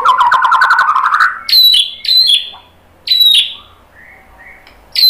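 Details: White-rumped shama song used to provoke other shamas into singing: a rapid buzzy trill near the start, then loud sharp whistled phrases with high harmonics, separated by short pauses and soft low notes.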